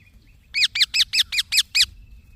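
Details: Green parrot chick producing a tight series of seven scratchy, high-pitched chirps, steady in rhythm and loudness, over roughly one and a half seconds.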